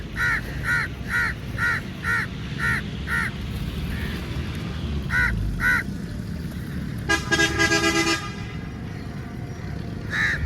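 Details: A very large flock of crows attacking food at feeding time: seven harsh caws repeated about every half second, a pause, two more caws, then a loud blaring vehicle horn before a final caw.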